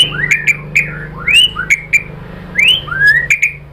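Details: White-rumped shama song used as a lure to provoke other shamas into singing: a run of bright rising whistled sweeps, some ending in sharp clicks, repeated roughly every half second over a steady low hum.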